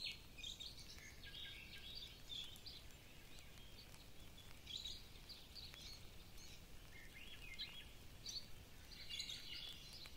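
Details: Exotic birds singing in a tropical forest on the Big Island, Hawaii, during a forest walk with gentle rain: bursts of high, quick chirps and twittering notes come from several birds throughout, over a steady low rushing background.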